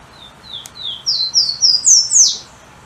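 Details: Golden-crowned warbler, or pula-pula, a bird said never to stop hopping, giving an accelerating phrase of high slurred whistles, starting soft and swelling into loud rising notes before ending abruptly, with a single click near the start.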